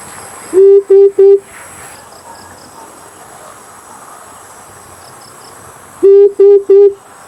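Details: Amethyst brown fruit dove call used as a hunting lure: a quick run of three deep, even hoots, a long pause, then the same three-hoot series again, with a constant thin electronic tone behind.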